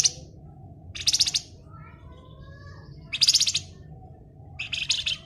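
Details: Flamboyan singing in the 'ngebren' style, a lively, rapid rattling delivery: three short buzzy chattering bursts about two seconds apart, with faint thin whistles between them over a steady low background hum.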